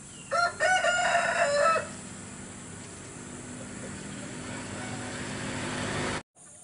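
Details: Rooster crowing, one of several cocks answering one another: a single loud, harmonic-rich crow lasting about a second and a half near the start, followed by steady background hiss and a brief dropout near the end.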